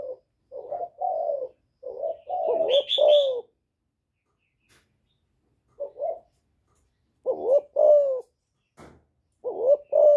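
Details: Spotted dove calling to provoke rival males: a few low cooing phrases broken by long silences, with a brief high chirping burst and scattered clicks.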